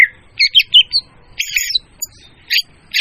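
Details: Leafbird lure sound, clear and loud, used to attract birds: a few harsh, scratchy, squawking bursts with short whistled elements, broken by brief silences over a faint low rumble.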